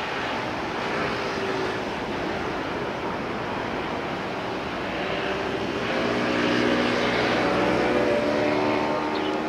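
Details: A steady roar like a passing aircraft or traffic fills the recording, swelling slightly toward the end, with no animal voices.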